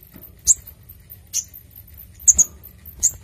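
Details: Little spiderhunter (sogok ontong) with a clear voice, recorded as lure and tutor material, utters four or five crisp, very high chips, two close together, separated by short silences.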